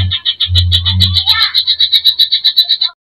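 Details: Rapid high chattering from a greater green leafbird singing in a provoking, fill-in-rich style: evenly pulsed notes, roughly four a second, with a low rumbling bump early on before the trill fades out.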